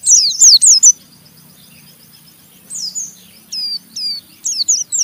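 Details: Rough chattering ngeriwik of an Oriental white-eye, meant to stir other white-eyes into singing: a fast high scratchy burst, a pause, then separate thin, downslurred high whistles and a final quick flurry.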